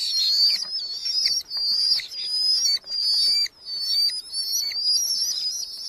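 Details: Red-footed falcons, chicks in a nest box in a large Hungarian colony, July 2025, with parents delivering beetles: piercing high squealing whistles in long wavering bouts, broken by short gaps roughly every second.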